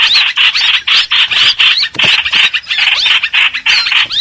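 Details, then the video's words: Streak-eared bulbul lure sound for trapping birds: insistent, buzzy rasping notes mixed with squealing upslurs, in quick uneven bursts. "Tiếng chim hoành hoạch mồi chuẩn"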